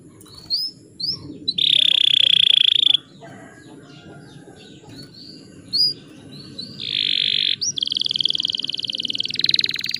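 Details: Canary song used as a lure to provoke rival birds into singing: short rising whistled notes, then long buzzy trills and rapid rattling rolls around mid-high pitch, with pauses between phrases.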